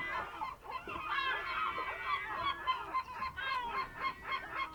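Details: Morning birds, 27 March 2026 at 07:40, fishing harbour on the Ionian Sea near Amvrakikos National Park, Greece. Several birds call at once in a dense, overlapping chorus of nasal honks with a low steady tone underneath.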